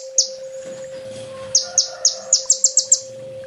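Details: High-pitched 'full tembak' song of a kolibri ninja, the olive-backed sunbird, as a training master: one sharp chip, a pause, then a quickening series of about eight piercing downslurred notes, over a constant low hum.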